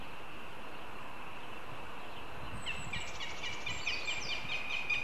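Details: Northern goshawk chick at a nest in Riga, Latvia, on a live cam, begins begging calls partway through: high, thin, wavering notes repeated rapidly over a steady low wind-like rumble.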